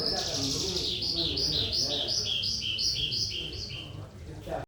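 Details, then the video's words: Lark (sonca) in lively 'trotolan' singing: a steady run of paired high notes, a sharp upper chirp followed by a slightly lower one, repeated about three times a second for four seconds over quiet low background noise. "burung sonca prospex trotolan gacor"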